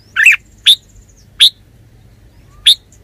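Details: Red-whiskered bulbul, a kept bird, giving a warbled note followed by three sharp, bright chirps spaced unevenly over three seconds.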